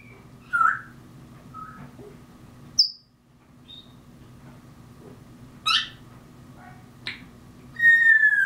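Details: Grey parrot mimicking mockingbird sounds, with scattered short chirps and squeaks at irregular intervals, a few sharp high notes, and a final drawn-out falling whistle, all above a constant low background hum.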